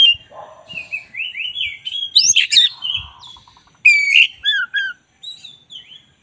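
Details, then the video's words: White-rumped shama, black-breasted type, used as a master recording: a run of fast rising and falling whistled notes building into harsh chatter, then clear downslurred whistles, with faint low clicks underneath. "10 menit masteran kacer dada hitam GACOR"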